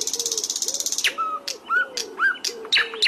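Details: Flycatcher masteran song for teaching cage birds: a fast buzzy rattling trill over a soft low note, then rising whistled chirps and sharp clicks about twice a second.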